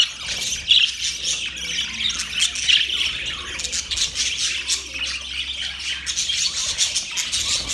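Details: Budgerigars chirping on the morning of October 1, 2023: dense, overlapping high chatter and squawky warbles run without pause, with a few sharper notes standing out.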